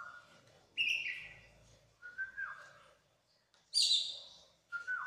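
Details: Oriental magpie-robin of the kacer poci type singing actively and showing off its repertoire: loud whistled phrases, some sliding downward and others high and bright, separated by short pauses. A quiet low hum runs in the background.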